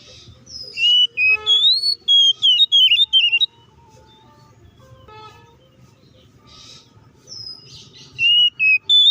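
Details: Oriental magpie-robin in fighting song, used as bait to provoke other magpie-robins into aggression. Loud, varied whistled phrases with sliding, warbling notes in two bursts separated by a quiet pause, over a faint low hum.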